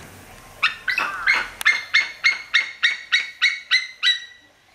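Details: A white-tailed eagle gives a yelping series of about a dozen ringing, harmonic notes, roughly three per second and steady in pitch, with no other clear sounds.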